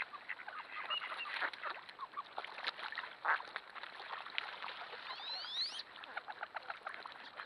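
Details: Waterfowl frenzy of thousands of ducks in a flooded corn field, recorded by a trail camera: steady clamour of overlapping quacks, with a few high, sweeping whistles late on.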